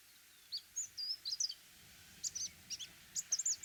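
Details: Orange-breasted sunbird: scattered high, thin chips and quick downslurred twitters in short clusters, with a brief gap midway, over faint low background noise.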